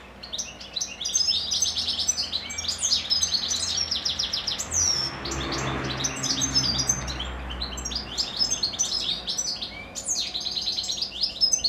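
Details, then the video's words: Several kept goldfinches singing in the evening after singing all day: a dense, continuous stream of rapid high twitters, chirps and short trills overlapping throughout, with a faint low rumble in the background midway. "Evening goldfinches song."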